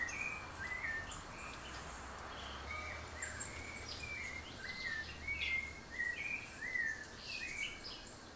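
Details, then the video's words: Ecuadorian thrush near Mindo, Ecuador, giving short, slurred chirps around mid-high pitch at an irregular pace, with thinner, higher notes from other birds and a low background hum. "Ecuadorian Thrush"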